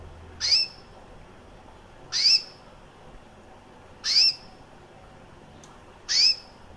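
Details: White recessive female canary with red-factor eyes, about one year old, gives a single short, high, rising chirp about every two seconds, four in all, against a quiet background; canary call.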